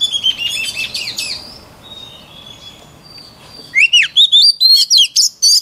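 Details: Song used for training white-rumped shama voices: quick rising and falling whistles at the start, a quieter stretch, then a burst of loud, clipped, upward-sweeping notes repeated about four times a second.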